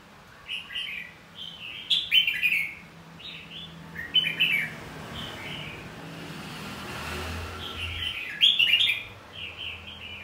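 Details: Red-whiskered bulbul fighting song, used to stimulate other birds to sing: short bursts of bright, warbled, chirpy phrases in groups around 2, 4 and 8.5 seconds, with quieter notes between and a low hum of traffic below.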